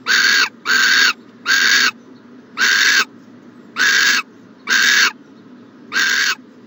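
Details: On a January 14, 2020 morning, an owl at the nest box utters raspy, breath-like hissing notes, seven bursts with the first three quick and the rest more widely spaced.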